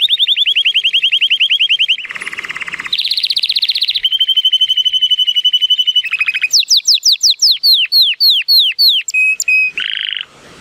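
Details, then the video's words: Powerful training song from an 83-point male Timbrado Español canary, born 2018, on a sunny day: long rapid metallic rolls, a harsh grating section, then slower sweeping descending notes and a few steady whistles. "The most PLEASANT Canary training song"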